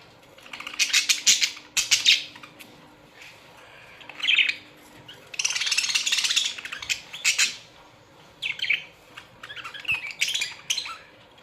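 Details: A colony of Australian budgerigars squawks and chatters in loud, scratchy bursts, several birds overlapping, with rhythmic outbursts of about a second and short silences between them.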